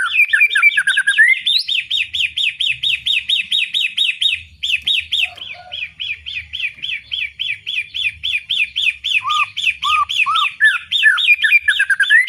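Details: White-rumped shama giving a loud 'ngeplong' song: long fast series of repeated rising whistled notes around two to four kilohertz, about two per second, with a few lower whistled phrases near the end and faint low background noise.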